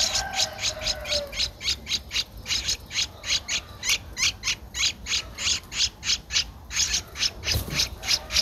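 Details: Twelve-day-old streak-eared bulbul nestling recorded in Ubon Ratchathani, Thailand, 14 April 2023; a steady run of harsh, high rasping notes about three or four per second, loud and insistent throughout.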